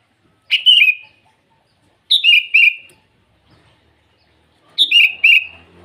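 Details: In the morning a sooty-headed bulbul sings to call rivals, giving three clear two-note whistled phrases, each falling slightly, spaced about two seconds apart over a quiet background.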